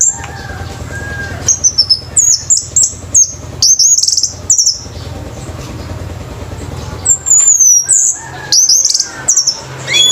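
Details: Competition orange-headed thrush, male, delivering thin, very high whistled notes in rapid clusters, some sliding upward, with a quiet gap in the middle before another run of high slurred whistles; low hum underneath.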